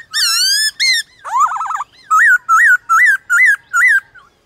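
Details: Morning song contest of a white-cheeked laughingthrush with wild birds: sweeping harmonic whistles, a rapid trilled warble, then five loud identical looped whistled notes spaced about half a second apart.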